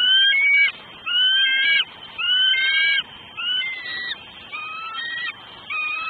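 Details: At a southwest Florida eagle nest on a December 2012 afternoon, a female bald eagle calls repeatedly awaiting food from her mate: seven loud piercing squeals, a few rising at the end, growing softer toward the finish.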